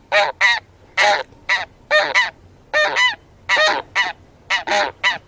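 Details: Taiga bean goose (Anser fabalis) producing loud honks in doublets and triplets: harsh, nasal, slightly yelping notes delivered in an uneven rhythm, with faint low rumble beneath.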